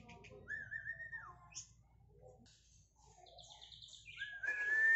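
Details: Caged white-rumped shama singing at a bird contest; clear whistled phrases, a rising then falling slurred note, scattered short chirps and a trilled series, ending with a rising whistle as background noise swells.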